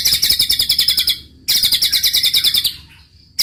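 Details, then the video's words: White-rumped shama delivering roll tembak song: a fast run of harsh, buzzy high notes repeated about three times per second, breaking briefly, then resuming before fading into quiet. "muraibatu roll tembak ajib bikin lawan naik emosi dan ikutan gacor MURAIBATU GACOR | SHAMA BIRD"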